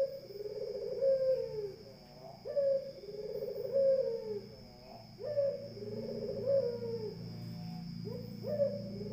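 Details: Barbary dove cooing vigorously, a call said to rile up other birds: low, hollow coos with a rolling, throaty middle, each phrase ending in a short rising note, repeated about every two to three seconds over a steady high electrical whine.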